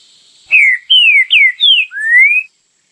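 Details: Green-winged saltator singing the prized "Bom Dia Seu Chico" song style valued by Brazilian bird keepers: five loud, clear whistled phrases, the first four slurring downward, the last a long rising whistle, all within about two seconds.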